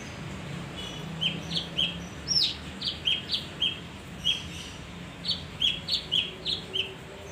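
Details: Singing male leafbird, used to draw in other birds: a lively series of sharp chirps and a quick upward flick, coming in uneven bursts over a low hum.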